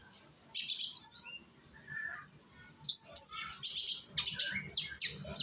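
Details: Young konin, an Indonesian sunbird, singing as a lure for other birds: a high chirpy phrase and a soft lower note, then a run of five or six sharp, bright chirps spaced roughly half a second apart.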